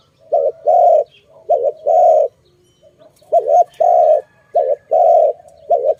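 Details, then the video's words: Dove calls heard while trapping birds: a series of mellow, low coos in short-long pairs, given at a steady unhurried pace. "Sound of good dove for letting altogether"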